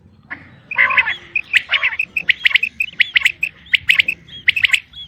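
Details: Female common quail gives sharp, chattering notes in tight pairs and triplets, packed closely with short clear pips between them.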